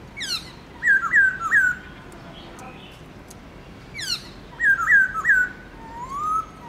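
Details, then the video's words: Black-throated laughingthrush singing a many-voiced forest-style song in the morning, captive. Two bursts, each a sharp descending sweep followed by three bright whistled slurs, with a soft rising whistle near the end. "Khướu bạc má HÓT GIỌNG RỪNG- LUYẾN NHIỀU ÂM"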